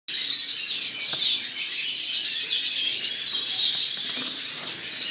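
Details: Captive-bred breeding pair of Blue grosbeaks (male hatched 2011, female 2010), giving a dense, high, run-on warble of quick chirping notes with no clear pauses, over a faint outdoor hiss.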